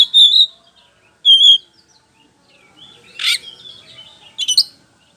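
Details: Song of a white-rumped shama (kacer poci) used as a lure to provoke answers: two pure whistled notes, then after a gap a rasping burst and quick twittering phrases.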